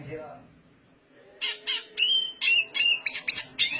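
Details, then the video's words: Black siskin sings loudly in fast, high buzzy twittering, about four scratchy bursts a second with thin whistled notes woven through, after a faint low murmur at the start. "black siskin gacor suara tinggi!"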